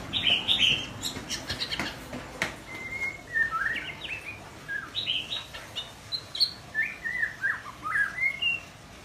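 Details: Young white-rumped shama practising its song. It gives a loud high warble at first, then a long series of short whistled phrases, often rising or falling, spaced about a second apart, with some clicks in between.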